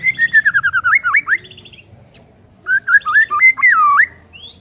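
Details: Lively white-rumped shama song meant to coax silent shamas: fluid whistled phrases with quick up-and-down slurs, a short silence, then another looping whistled run.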